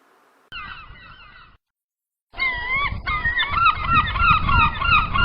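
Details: Gulls at sea give nasal, wavering calls that overlap densely. A brief quieter stretch is followed by a gap of silence, then loud chorus calling over a low rumble.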